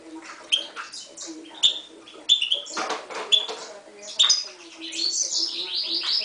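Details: Hybrid of Himalayan goldfinch and timbrado canary, a 2011 mule, delivers scattered sharp whistled notes and rasping bursts, then closes with a quick descending series of high twittering trills.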